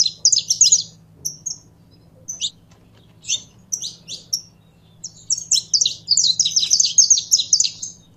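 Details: Canário-da-terra, or saffron finch, being stimulated into song under keeping: scattered sharp high chirps give way to a dense, fast run of bright slurred notes near the end, against a steady low hum.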